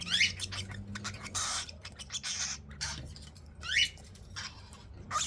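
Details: Young cockatiels being fed make harsh, rapid, scratchy begging bursts, punctuated by two sharp rising squeals, against a low humming background.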